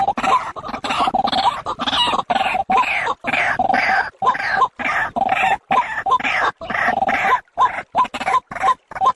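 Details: Lure recording of a white-breasted waterhen, meant for use by day and night: a long, unbroken series of rough, nasal croaks, rapidly repeated with short pauses, loud and dry throughout.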